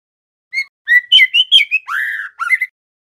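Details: Practice song of a speckled young male white-rumped shama: sharp whistle, then a quick run of bright looping notes, a long buzzy-edged falling warble, and two brief upward whistles to finish, loud and clean.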